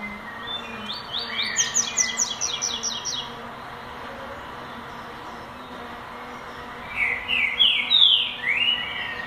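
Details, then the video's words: A young lined seedeater beginning its classic song: two short bursts of rapid, high, tinkling notes, separated by a few seconds of quiet. "Coleiro Tui Tui Classico (Polegato) começando cantar"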